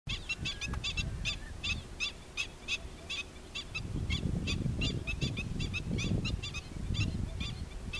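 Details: Black-winged stilt, an adult with chicks, giving sharp nasal yapping notes repeated rapidly, about three to four per second, over steady low rumbling wind-like noise that swells in the second half.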